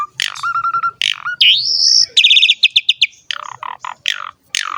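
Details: Asian pied starling song used to train and lure young starlings: a loud varied mix of sharp notes, a rising whistled slur, rapid repeated chirps and a low steady whistle, changing phrase every second or so.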